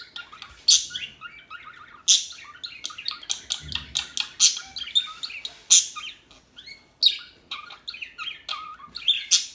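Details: Small birds chirp steadily in a lively, uneven chorus of high tweets, with loud sharp notes every second or two and softer twitters between.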